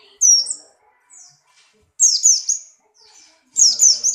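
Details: Buxtoni white-eye in strong breeding condition, hopping about and singing: three bursts of high, sharp twittering notes with swooping downslurs, about every one and a half seconds, with short pauses and faint softer notes between.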